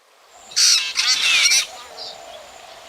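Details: Black drongo call recorded for night bird trapping in 2024: a short burst of harsh, buzzy chatter with a thin rising whistle inside, then fading noise.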